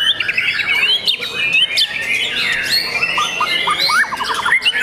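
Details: Singing young white-rumped shama kept by an owner: rapid varied phrases mixing short upslurred chips in quick series with longer swooping whistles, delivered continuously over a busy background of other bird notes.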